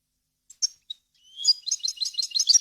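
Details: European goldfinch song for training fledglings: a few isolated high chips, then a rising run of fast, bright, tinkling twitters building in loudness.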